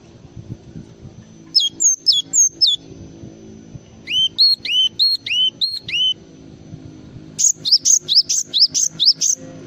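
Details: Java sparrow song with three phrases: clipped high notes, a run of rising-then-falling double whistles, then a rapid string of bright high notes, over steady low background hum.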